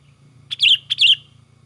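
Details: Sooty-headed bulbul in agitated, lively song used as a lure for other bulbuls: two short bright whistled phrases, each a sharp note followed by a warbling slurred flourish, about half a second apart over a faint low hum.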